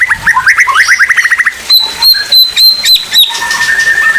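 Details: Oriental magpie-robin in 'pastol' song style, a recording offered for other magpie-robins to learn from; quick rising trill of repeated whistles, then a row of clipped high notes with a sustained piercing whistle, ending in a thinner level whistle.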